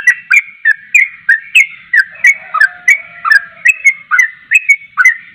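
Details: Lively Javan pied starling singing hard so other starlings reply, pouring out sharp downslurred whistles at a brisk, slightly uneven pace, with a thin low whistle drawn out beneath the series in the middle.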